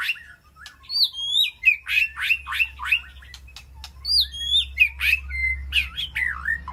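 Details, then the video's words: Calling to its flock from inside an aviary, a white-rumped shama pours out quick, bright, high notes, mostly short downslurs and chips delivered in rapid succession, over a faint low hum. "Sound of White-rumped Shama Call to Flock"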